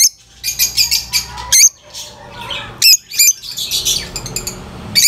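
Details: Noisy lovebird chattering, with dense bursts of shrill, high chirps and squeaky notes tumbling over one another, broken by a few short pauses, and a low background rumble.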